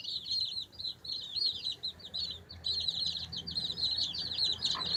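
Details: Many baby chicks chirping nonstop while they peck and scratch, a dense stream of shrill, high peeps with a brief pause midway and a faint low rumble in the background.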